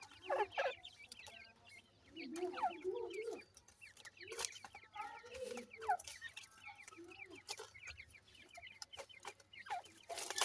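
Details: Young francolin chicks giving many overlapping short, thin chirps and peeps in quick succession, with low murmuring sounds and several sharp broadband clicks or knocks in between.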